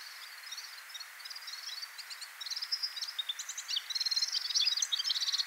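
Red-fronted serin: a fast, high, tinkling twitter of short metallic notes, building in strength and pace over a soft background hiss.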